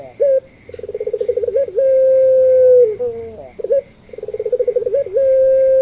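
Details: Barbary dove of the Puter Pelung type, used as a lure to get other doves to answer: two rounds of a short upward note, rapid pulsing trill and a long sustained level coo sliding down at its end.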